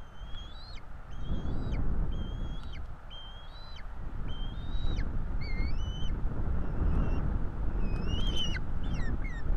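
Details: Feeding time at a Florida bald eagle nest, 5 April 2022, with two chicks begging: insistent string of high, thin, slurred whistles, many with a quick downward flick at the end, some chirps stacked closely, over strong low rumbling noise.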